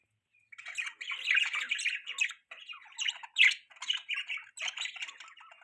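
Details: Budgies kept as pets give a near-continuous scratchy warble of rapid buzzy and squeaky notes, broken by brief pauses and one louder squeak midway.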